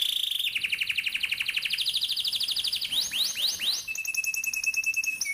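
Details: Rolling canary song played to teach young canaries to sing: a long fast trill of pulsed notes that slowly descends, then a few rising swept chirps, and a thin steady high whistle with quick trilling above it.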